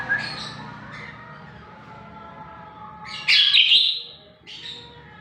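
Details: Greater green leafbird, a vocal bird used as a lure to prompt young captive birds to sing, giving short high chirps and a loud buzzy, warbled burst in the middle, then a brief squeaky note, over faint low background hum.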